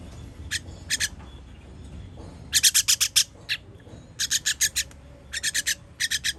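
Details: Baby birds being fed, recorded 21.06.23: harsh, hissing rasps in tight bursts of three to five, with louder clusters near the end and a low background rumble.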